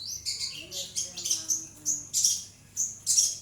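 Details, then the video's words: Energetic long-tailed shrike singing as a training recording for other birds: high, piercing chattering notes and short whistles in bursts about every half second, separated by brief pauses. "pentet gacor masteran"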